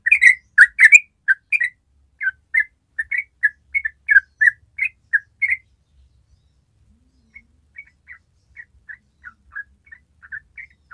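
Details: Yellow-vented bulbul in top singing form. Its long rolling ropel song opens loud and rapid with bubbly chirps, then pauses. A quieter, more distant run of short slurred notes continues to the end.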